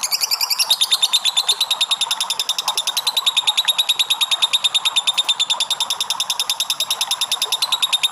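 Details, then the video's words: Lovebird in an unbroken ngekek chatter, used to lure other lovebirds. A higher opening note gives way to a dense, fast, raspy rattle that continues steadily to the end. "LOVE BIRD NGEKEK PANJANG"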